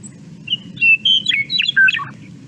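Western Meadowlark song: a short burst of rich, flute-like whistled notes tumbling down into a gurgling, hollow finish, over a low background rumble.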